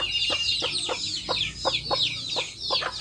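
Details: A close, loud chorus of high, falling chick cheeps from backyard hens with chicks, punctuated by about eight short, soft clucks across three seconds.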